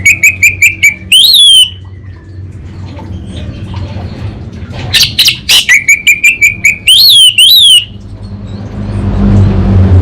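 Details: Anis bata orange-headed thrush in lively kabel konslet song: rapid runs of short repeated chirps alternating with looping, warbled whistled phrases, over a low background hum.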